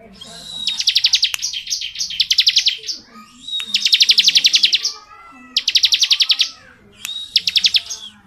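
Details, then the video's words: Long continuous ngebren singing of a bar-winged prinia, with dense, rapid trills of sharp high notes in three long bursts and a shorter fourth, joined by thin whistled slurs. "BURUNG CIBLEK NGEBREN PANJANG"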